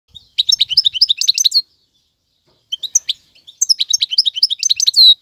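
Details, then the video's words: Male European goldfinch used for tutoring young birds, singing bright twittering phrases of rapid high chirps and short trills in two bursts separated by a pause, ending on a sustained buzzy note; no other sounds. "اقوى تغاريد الحسون, مقنين فحل لتعليم الفراخ"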